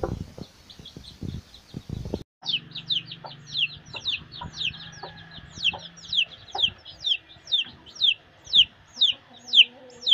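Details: Chicks foraging with their mother hen: shrill, high peeps that slide downward, tumbling out about two a second and growing louder, over faint low clucks and background rumble.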